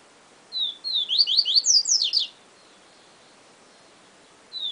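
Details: Papa-capim, the Yellow-bellied seedeater, giving one Siu Siu phrase: a thin whistle, then fast descending high slurs climbing to steep shrill sweeps, about two seconds, then near silence before another note begins.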